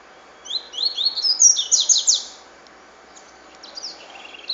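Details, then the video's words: Double-collared seedeater song in the Cachoeira style: a rapid run of bright, high chirped and slurred notes, many rising then falling, for about two seconds, followed by fainter scattered twitters against a quiet background. "Coleiro Cachoeira"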